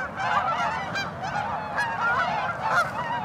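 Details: Tundra swans with geese and ducks at Ninth Line, Mississauga, Ontario, Canada, March 2013: continuous, loud, crowded chorus of quavering honks and bugles overlapping without pause.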